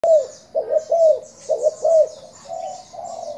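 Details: Spotted dove used for decoy calling, Thai type, giving soft low coos in quick pairs and triplets, each note rising then falling, with faint chirping of other birds in the background.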